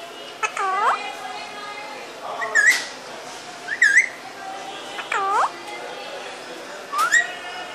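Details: Pet parrot producing a series of looping, slurred whistles and short rising notes, some with harsh harmonic tones, several calls spread over the clip with quiet room background.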